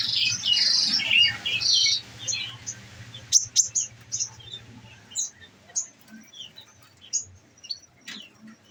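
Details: Caged olive-backed sunbird opening with a scratchy, high warble, then scattered sharp chirps spaced about a second apart, with a low hum in the background.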